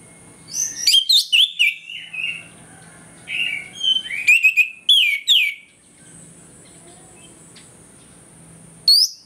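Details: Loud morning ngeplong singing by an orange-headed thrush, meant to provoke aggression: clusters of sharp high whistles and softer warbled notes, separated by silent pauses, ending with one bright note.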